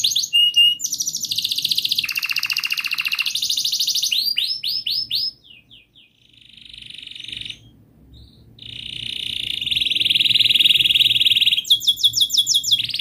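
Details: Long canary song meant to get a silent canary singing: alternating rapid buzzy trills and rolling phrases of rising sweeps, with a quieter pause midway before a loud sustained trill and fast high notes.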